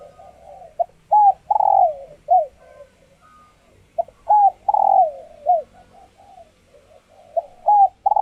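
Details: Female spotted dove in laying condition, captive, whose calls stimulate males to coo in courtship; three low, hoarse coo phrases about three seconds apart, each a clipped note, an arched coo, a rolling burr and a falling tail.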